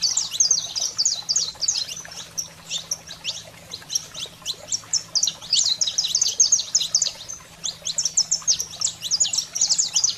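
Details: High, rapid chattering song of a saffron finch (canário-da-terra), used to excite and fire up captive birds; dense runs of sharp chirps and descending slurs pour out almost without pause across ten seconds, faint hum beneath.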